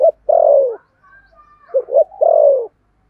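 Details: Spotted dove kept as a decoy to lure birds, singing in the 'thổ' voice: two cycles of a long, low, falling coo, each preceded by a pair of quick clipped hoots, in a quiet setting.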